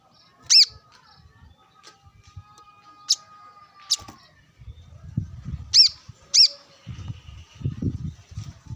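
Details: Brown-throated sunbird calling while sunbathing with wild birds nearby: a few sharp high chirps and thin ticks, with bursts of low rumbling noise in the second half.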